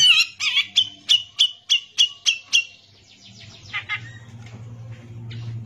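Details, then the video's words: Brown-cheeked bulbul tutor song: about eight evenly spaced, loud clipped notes in quick succession, then softer scattered chirps over a steady low hum. "CUCAK JENGGOT GACOR BISA BUAT MASTERAN"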